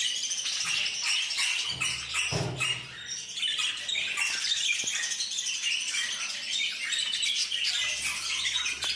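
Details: A flock of parakeets: dense, continuous high chattering and squawking from many birds at once, scratchy and overlapping, with a few soft thuds and knocks.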